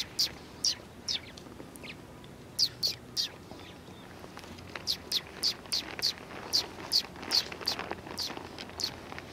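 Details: Sparrows coming to be fed at a Tenmangu shrine on 7 February 2020, giving short high chirps in loose bursts, a few at first, then a steady run of evenly spaced chirps about every half second, over low background rumble.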